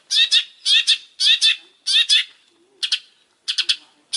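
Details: Long-tailed shrike in full voice gives harsh, raspy double notes, repeated in pairs about every half second, followed by shorter clipped rasps after a brief gap.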